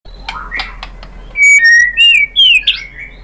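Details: White-rumped shama song: after soft, scratchy notes comes a run of loud, clear whistles, each held briefly at a different pitch and ending in a sharp, rising flourish.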